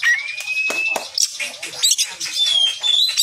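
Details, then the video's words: A captive Oriental magpie-robin (kacer) gives a training song for contest birds: a long, pure whistle sliding slightly upward, then a burst of scratchy clicks and chatter, ending in higher, thin whistled notes. "SUARA MASTERAN KACER"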